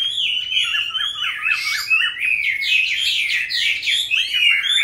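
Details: Captive Chinese hwamei, wild-caught and in its fifth year of keeping, starts with a row of quick downslurred whistles, then breaks into a dense, jumbled burst of bright warbling.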